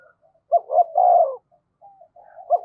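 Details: Spotted dove used as a decoy to provoke cooing: one low phrase of two short notes and a sustained hollow coo, then faint soft notes and the start of another phrase.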